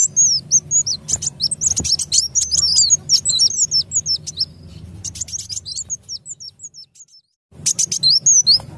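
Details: Lure recording of a sunbird for bird trapping: rapid, jumbled high chirps and ticks, roughly three a second, thinning into lone twisting notes, then a short silence before a fresh chattering burst.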